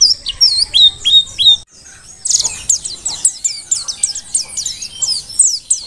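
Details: Mountain white-eye of the Dakun form from Merapi, taken from the wild, gives looping high whistled notes. After a short silence comes a brisk, even series of sharp chips, roughly three a second.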